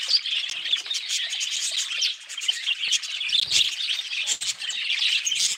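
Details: Budgerigar chatter: fast, twittering chirps and raspy warbled notes run together in an unbroken high-pitched babble, with a short soft low thump midway.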